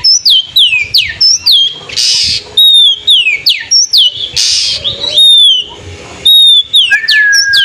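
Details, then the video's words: Provocative afternoon song of an Oriental magpie-robin, used to rile rivals and as therapy for young birds: rapid runs of sharp, high down-slurred whistles in quick succession, closing with one long steady whistle. "SUARA KACER SORE HARI MEMANCING MEMANCING EMOSI MUSUH"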